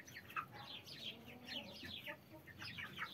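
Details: Hen with a brood of 33 chicks; a dense chorus of short, high, downward-slurred chick peeps overlapping rapidly, with faint low background rumble.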